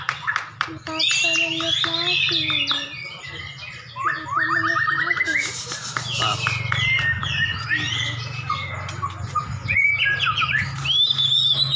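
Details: Two caged champion white-rumped shamas dueling and described as raging: dense, varied song of whistles, rapid repeated notes and clicks, with people talking quietly in the background.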